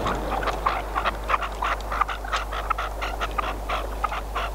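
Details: Partridge serving as a decoy in a hunt: hoarse, chuckling notes delivered in a quick, uneven rhythm, roughly one and a half per second, over a constant low mechanical hum.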